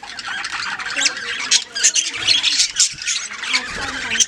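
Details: A caged colony of Australian budgerigars (Melopsittacus undulatus) chattering with high, scratchy warbles and squawks that overlap without pause.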